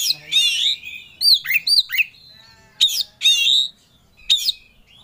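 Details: Oriental magpie-robin in fighting 'ngobra' mood, searching for a rival: rich, loud warbled phrases mixed with short sharp whistled notes in clusters, with spaced bursts and short pauses between them.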